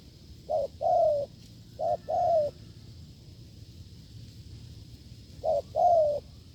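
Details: Field-living wild spotted dove giving strong cooing: two short-then-long coo pairs close together, a pause of about three seconds, then one more pair, soft hum behind.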